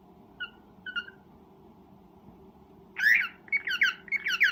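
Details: Breeding cockatiel giving a mating call: two faint short chirps early, then after a quiet pause a burst of loud, rapid, harsh rising chirps near the end over a steady low background hum.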